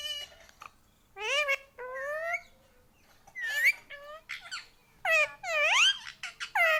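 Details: Tame Indian ringneck parrot kept as a pet, known for saying mummy papa, utters strained rising and falling screechy notes in uneven bursts separated by short silences, possibly mimicked words.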